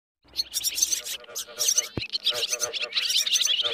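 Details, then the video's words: Swiftlet roosting calls used to lure birds into nets: dense, overlapping high chirps and twittering in rapid bursts, with a brief sharp click near the middle. "tiếng én ngủ"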